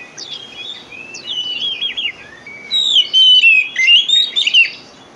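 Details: Oriental magpie-robin song meant to trigger singing in quiet or slow magpie-robins: soft rambling whistles at first, then a louder run of rich, rising and falling warbled notes.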